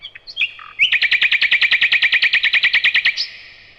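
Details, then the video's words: A few varied whistled notes from a nightingale lead into a loud, strongly rhythmic trill of about twenty sharp repeated notes, ending in a brief buzzy tone. "Незабываемое Пение соловья"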